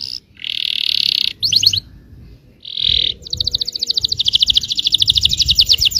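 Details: Yellow canary singing to stir other canaries to answer: dense buzzy rolls broken by short pauses, a brief burst of sweeping notes, then a fast rattling trill that builds steadily louder to the end.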